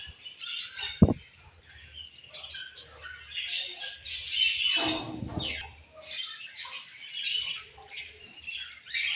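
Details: A group of colorful budgies keeps up a constant high chatter of chirps and squawks, broken by a sharp knock early on and a louder, broader burst of noise near the middle.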